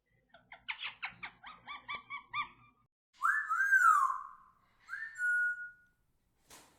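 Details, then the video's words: A pet Indian ringneck parrot (rose-ringed parakeet) gives about ten quick, chattering notes, then a loud, arching whistle and a shorter, level whistle, ending with a faint click. "Indian Ringneck Parrot Making Beautiful Sounds"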